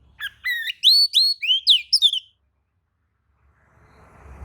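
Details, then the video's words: Oriental magpie-robin answering another magpie-robin's song in a quick run of loud rising and falling whistled notes, followed by silence and faint background noise. "kacer manasaja jelas ikut nyaut emosi dengrar kicau kacer seperti kacer ini"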